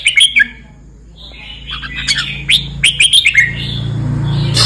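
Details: Red-whiskered bulbul from southern Thailand in 'boen 234' style: a short whistled burst, a soft pause, then a sequence of chirping phrases as a low engine-like hum grows toward the end.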